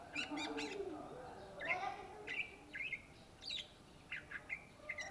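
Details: Cucak ijo, the greater green leafbird, singing: clipped chips and short whistles, some notes drawn out into level tones. Lower murmuring sounds run beneath.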